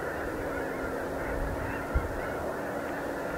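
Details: Large flock of snow geese arriving for the night, their massed honks merging into continuous clamour, a steady low drone beneath and one brief thump near the middle.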